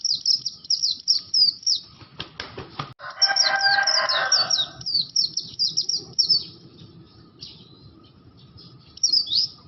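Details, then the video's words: Caged Oriental white-eye of the bustomi or buxto type with an unusual sound, rapid high chirping phrases of thin squeaky notes, broken midway by a short harsh buzzing burst and a few clicks, then resuming in bursts. "SUARA ANEH BURUNG PLECI BUSTOMI/BUXTO GACOR"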